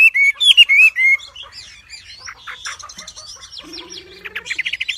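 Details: Wambi singing energetically: bright whistled slurs open loudly, then a quieter jumble of high chirps, a buzzy low trill midway, and a final burst of rapid repeated high notes.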